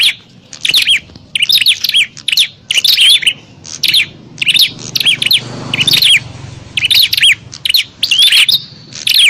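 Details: Bar-winged prinias in a noisy fight, a lure call for wild prinias: evenly spaced bursts of sharp, high chirps about twice a second, with a short rushing noise partway through.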